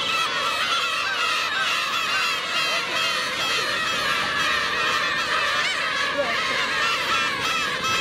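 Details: Adult black-tailed gulls attacking a chick of their own species, recorded on a 4K camcorder: a dense, unbroken chorus of harsh, goose-like mewing cries that overlap continuously for eight seconds.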